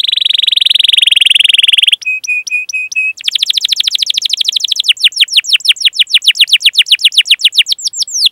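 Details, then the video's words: Long, busy canary 'cuit cuit' song used to stimulate young, learning and silent canaries; a buzzy roll, five even whistled notes, then fast chirping series becoming steadily spaced, sweeping down-slurred notes repeated over several seconds. "Masteran Suara Burung Kenari Gacor Panjang cuit cuit Ngerol untuk Pancingan Kenari!"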